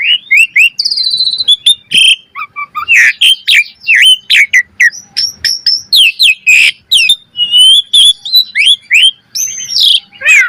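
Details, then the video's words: Varied master song of an Asian pied starling for training cage birds, dense stream of loud whistles, rising slurs, clicks and harsh buzzy notes with scarcely any pauses. "Pancingan Burung Jalak Suren Gacor Mompa Variasi - Suara Masteran Jalak Agar Gacor Full Isian Mewah"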